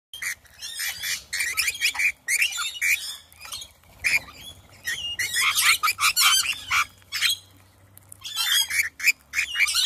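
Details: A flock of rainbow lorikeets in a front yard in the hills around Adelaide, South Australia, screeching: harsh, shrill squawks and chattering overlap in dense bursts, with brief pauses between waves of noise.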